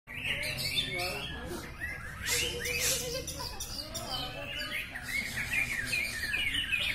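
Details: Several greater green leafbirds sing at once at a songbird practice contest session in Batang, in a rich, fast medley of sweet whistles, chattering trills and mimicked phrases, with people talking in the background.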